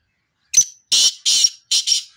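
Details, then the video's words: Loud harsh call of a black francolin: a sharp opening note followed by two long rasping blasts and a closing stuttered double note, all intense and grating, with silence around them. "kale titar ki mast awaz"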